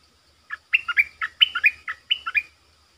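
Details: A captive streak-eared bulbul used as a decoy gives a quick run of about ten bright, chirpy notes in two bursts, dipping and rising, over a faint low hum, answering wild birds that come close and then leave.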